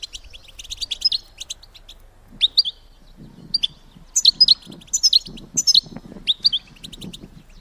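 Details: ['Calls of a female European goldfinch used to prompt males to mate: bursts of sharp, high twittered notes and quick liquid trills separated by short gaps, with soft low rustling beneath.']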